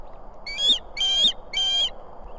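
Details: An osprey female at a nest with two chicks in Estonia, 18 July 2016, calls to summon the male, who soon arrives with food: three shrill, whistled, slightly strained calls in quick succession over a low steady hum.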